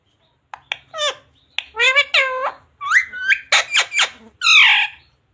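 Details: Talking parrot kept as a pet, reeling off high-pitched speech-like syllables with sliding inflections, several quick clipped notes and a final raspy squawk, mimicking phrases like "radhe radhe" and "mummy papa".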